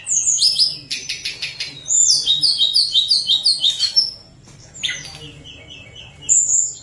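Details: Tledekan gunung singing actively in a flute-like style, used to coax lazy birds into song: high, rapid bursts of thin whistles and trills, then a run of about a dozen repeated downslurred notes, a pause, and a final whistle.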